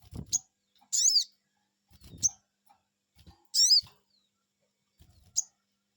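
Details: Responding to a lure, a sogon bird gives two strong, rising-and-falling "cuiit" calls about two and a half seconds apart, between sharp short chips and low thumps.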